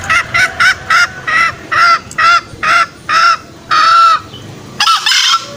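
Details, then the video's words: Green junglefowl call played to lure wild males from the forest into snares: a run of about a dozen short, nasal, harmonic notes at an uneven pace, one note held longer near the end. "Pikat ayam hutan hijau suara masteran dan pikat paling ampuh"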